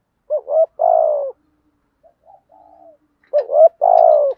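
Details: Spotted dove lure cooing to excite wild birds into calling: a rising double note then a long steady falling coo, a quiet gap with soft murmurs, then the same phrase repeated.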